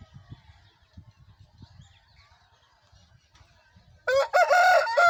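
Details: Aseel rooster from Pakistan crowing: after about four seconds of quiet background rustling, a loud harsh harmonic crow bursts in and runs to the end, cut off mid-call.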